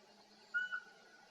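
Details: A Eurasian pygmy owl singing by day in spring forest, its whole body shaking with each note, gives one clear, mellow, fairly high whistled note, short and even in pitch, against a quiet, faintly hissing background.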